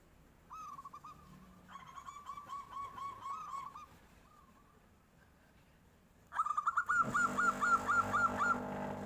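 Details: Local zebra dove giving its fluting 'nyuling' song as a tofu seller passes: soft cooing phrases and a long rapid trill, followed by a sudden louder, harsher burst of repeated notes with noisy background.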